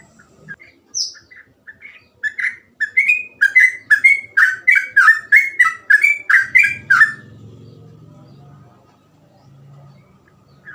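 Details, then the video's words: Sooty-headed bulbul, a bird used to train other bulbuls, opens with a few scattered notes, then a steady series of short mellow whistled phrases for about four seconds, followed by a low rumbling background hum. "burung trucukan gacor ropel cengkok mudah di tiru trucukan bahan"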